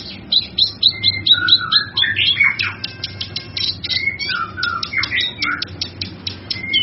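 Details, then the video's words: Cucak kinoi singing a busy mimicking-style medley for songbird training: quick repeated high ticks, then swooping whistles, squeaky slurs and further ticking bursts. "Suara Burung cucak kinoi"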